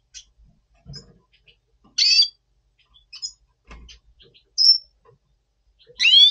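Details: Red siskin of the Double Pastell colour form, recorded in November 2023 in breeding mood: three loud, buzzy calls spaced a couple of seconds apart, the last sliding downward, with faint clicks and a soft thud between them.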